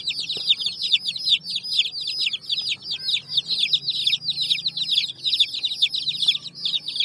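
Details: Several baby chicks with a hen on raw bricks: high, thin, downward-sliding peeps tumble over each other continuously, with a low background hum.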